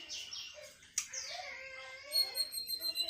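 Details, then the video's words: Sweet song of a Sunda bush warbler, high descending whistles, then a sustained thin tone with fast repeated high trills toward the end, over soft background noise. "Suara Merdu Tledekan Melayu"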